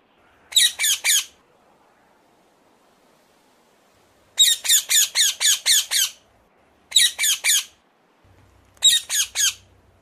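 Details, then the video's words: A rose-ringed parakeet calls with harsh, shrill screeches in quick bursts of three to six, with short pauses between bursts. "ring neck parrot calling song"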